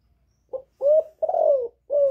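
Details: Hen spotted dove in captivity calling to stir up males: a brief low note followed by three mellow, hollow coos, the middle one long and gently falling, in a quiet setting.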